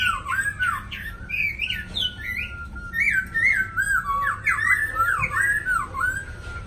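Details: Caged black laughingthrush in Hanoi, Vietnam, one of a pair, singing flowing 'lai dai' song: sweeping slurred whistles that leap up and fall back, strung together in lively rolling phrases with a faint steady tone behind.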